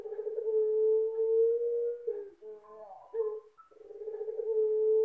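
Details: A ringed Barbary dove with a big voice and thick ending gives a deep, long-drawn coo: a steady hum held about two seconds, a short broken stutter, then another long even tone.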